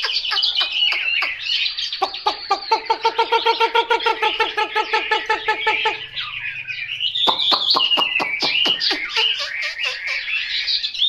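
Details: Hwamei song from a selected bird: sharp clicks then a long series of rich, rhythmic repeated notes with deep tones beneath high chatter, a short pause, and more sharp notes sliding into warbling.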